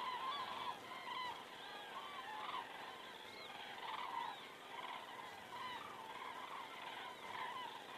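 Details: Evening flyover of common cranes in Estonia, 19 September 2017 at 19:10, captured by a crane cam: softer, slightly distant trumpeting calls from a flock, overlapping in loose bursts over a steady background hiss.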